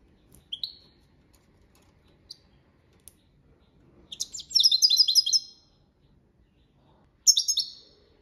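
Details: European goldfinch, copia malaga training song: scattered single chirps, then a dense rippling twitter of about a second and a half, and a closing short twittered phrase.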